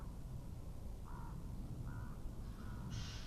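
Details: Common raven calls picked up by an Estonian eagle webcam in January 2017 around midday: three short, harsh, croaking notes roughly evenly spaced, with a sharper higher note at the end over steady low rumble and wind.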